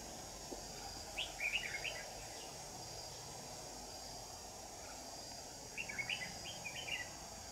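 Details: Red-whiskered bulbul singing at a trap on 9 July 2019, a decoy bird luring rivals that flare their wings at it: two bursts of quick, bright, warbled chirping phrases over a steady high insect hum.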